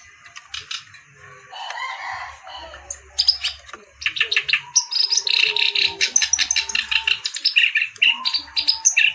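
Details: Reed warbler (kerak basi) song beginning quietly, then building into rapid, repeated chattering and harsh churring notes with a few bright whistled accents.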